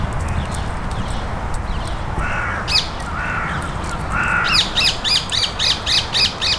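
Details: Carrion crows being fed in a park, where five or six crow family territories converge, give three harsh, drawn-out caws about a second apart; then a magpie intrudes with a fast rattling chatter, over a low rumble.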